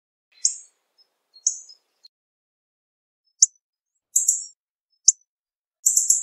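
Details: Hawfinch calling in short, high, thin chirps and ticks. Early notes are soft and scattered; later notes grow louder and more buzzy, ending in a rapid stuttered cluster. No other sounds.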